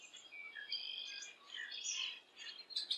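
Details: Fledgling Red-headed Woodpecker on a limb about 150 feet from its nest tree near Hannibal and the Mississippi River, on a July morning, gives a begging call of high, squeaky, chattering notes in quick overlapping bursts that rise and fall.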